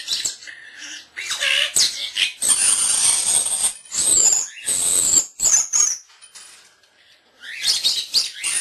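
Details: Indoor pet starling, a young male not yet a year old, imitating camera beeps, barking and other birds: loud harsh rasping bursts, thin high squealing slides, and a short silence before further scratchy chatter.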